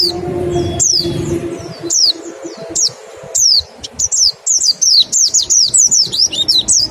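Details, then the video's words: White-eye 'nembak' song meant as a lure for quick singing: sparse high falling whistles at first, then a dense run of sharp descending notes in the last three seconds, soft low hum underneath. "Suara PLECI NEMBAK dan PANCINGAN NGECAL... Sangat EFEKETIF buat rangsang CEPAT BUNYI"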